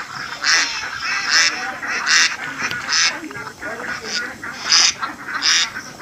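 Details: Ducks playing in water in an Assam village, India, give rasping quacks repeated roughly every 0.8 seconds over a steady background hiss, some calls fainter and more distant.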